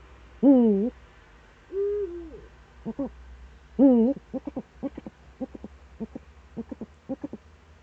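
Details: Eurasian eagle-owl in the Eifel, Germany, on 26 September 2013 around 07:04–07:23 in the morning, giving two drawn-out, wavering, nasal calls, then a quick run of short clipped notes about twice a second over a low hum.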